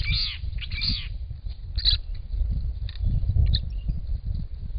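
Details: Purple-crowned lorikeets, a family of two adults and two recently fledged young alongside a Little Lorikeet at a property pond; two quick harsh, buzzy screeches open, then fainter sharp notes over a constant low background rumble.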